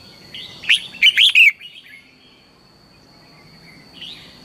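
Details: Red-whiskered bulbul in morning song, used as a lure bird to train other bulbuls: one short burst of bright, slurred chirping notes, a faint phrase near the end, and a steady high electronic whine throughout.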